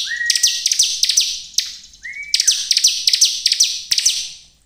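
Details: Short whistled notes precede rapid runs of shrill, falling chirps from a bar-winged prinia, sung to goad other prinias into singing.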